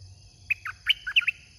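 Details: Red-whiskered bulbul kept caged as a decoy for luring wild birds, giving a brief bright phrase of five or six clear, bubbling whistled notes, with a constant high insect drone behind.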